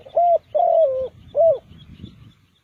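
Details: Spotted dove used in bird trapping as a decoy, heard in one close phrase: a short coo, a long drawn wavering coo and a final rising-falling coo, then low rumbling noise.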